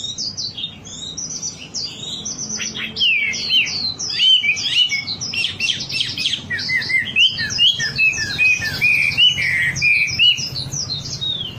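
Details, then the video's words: Wambi singing as a lure recording meant to make birds sing readily: a long, rapid, high twittering chatter of sharp chirps and trills. It starts quieter, then grows louder and denser, with no other clear sounds. "Suara pancingan burung wambi agar cepat gacor"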